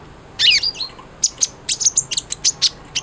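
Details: Sunbird, a keen singer used as a model for white-rumped shamas. A brief, rough, buzzy twitter opens, followed by a string of crisp, very high chirps about four per second.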